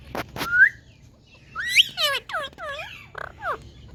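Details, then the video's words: Indian talking parrot, a pet, giving two clicks, then rising whistles followed by a series of downward-sweeping harmonic squawks that shorten toward the end. "Indian Talking Parrots"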